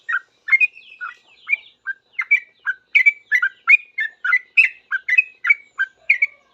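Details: Sooty-headed bulbul in vigorous song answering other bulbuls: a dense, hurried stream of bubbly whistled chirps, paired and tripled notes bouncing between lower and higher pitches without pause.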